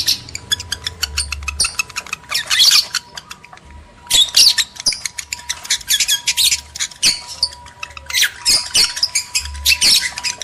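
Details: Male and female lovebirds sounding to encourage mating; bursts of sharp high squeaks and squawks separated by short quiet gaps, with a low hum underneath.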